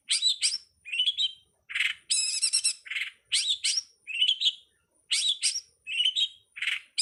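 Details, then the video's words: Long-tailed shrike (cowet, codet, pentet) master song from 2022 for training songbirds: a rapid, varied medley of rising whistles, buzzy mid-pitched notes and high stacked chatters, delivered in quick bursts with brief pauses. "suwara masteran burung cowet/codet/pentet"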